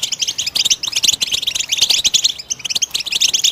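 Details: Goldfinch song for stimulating other birds to sing, a bright burst of rapid tinkling notes and short trills, high and chattering, with a tiny gap midway.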